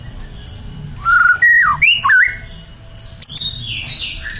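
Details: Energetic gacor song of a champion burung batu: sliding whistled notes rising and falling, twisting phrases and sharp high chips, delivered loud and close.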